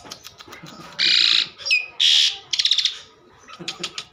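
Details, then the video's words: Asian pied starling giving two long, loud, rasping buzzes, then a rapid stuttered rattle, with scattered soft clicks and a little background noise between phrases. "burung jalak suren super gacor"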